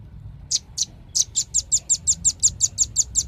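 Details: Velvet-fronted nuthatch: two hesitant high chips, then a steady string of sharp, piercing notes repeated roughly five times per second.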